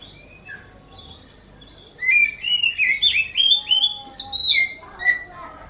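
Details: Oriental magpie-robin whose song is said to resemble a kitten meowing: after two quiet seconds, a run of bright, slurred whistled notes rising and falling in quick succession, then fading.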